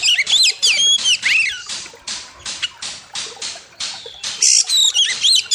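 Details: Oriental magpie-robin (kacer) singing loud master song for training birds, with a wild river setting: varied whistled phrases mixed with harsh buzzy notes and rising and falling slurred whistles, delivered rapidly in dense bursts.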